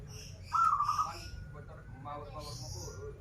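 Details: Local zebra dove from Banten, Indonesia, a top-performing bird sung in styles called krital and warung kebek, gives one trilled coo lasting over half a second. A man's voice talks throughout, with room murmur.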